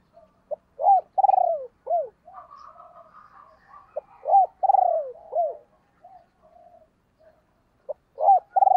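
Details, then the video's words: Decoy spotted dove calls in a provoking style. Loud falling coos come in repeated phrases, separated by quieter, buzzy murmuring notes. A new phrase begins near the end, and the background is otherwise silent. "cu mai gay kich boi nhanh noi"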